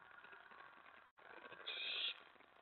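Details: Owl at a nest after midnight, 24 May 2017, as a mouse and then a rat are brought in: a single rasping hiss-screech near the end, with a brief dropout in the background noise just before it.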